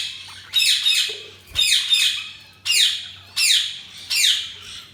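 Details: Budgie calls: five loud, harsh squawks, each sweeping downward and spaced under a second apart, with quiet gaps between them.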